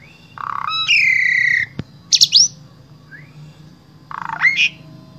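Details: Asian pied starling from Wonosobo, Central Java, Indonesia, singing a varied, material-rich song used to tutor other starlings: a nasal buzzy note, a long falling harsh whistle, sharp high chips, then a rising squeal, with quiet gaps between.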